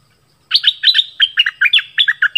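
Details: Orange-headed thrush song used to lure wild birds and train young birds: a fast, varied string of paired whistled notes, rising and dropping, lasting two seconds.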